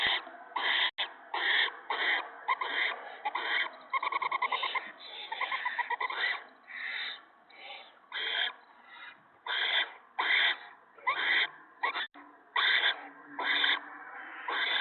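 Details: Owls at a nest at night in March 2017 as a gopher is shredded for the owlets. Dense, overlapping rasps and short hissing bursts come in quick irregular succession, suggesting several young calling at once.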